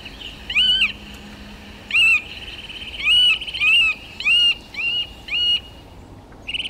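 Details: Eurasian nuthatch repeating loud, ringing, arched whistles, about seven notes at uneven intervals, each note swelling up and dropping back, with faint high chirps from another bird near the end.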